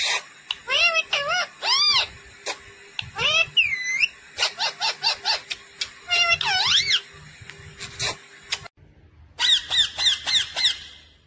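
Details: Talking pet parrot, said to say "mummy papa": rapid chatter of curving, speech-like syllables and whistled sweeps over a constant electrical tone, a brief pause, then a quicker burst of clipped notes.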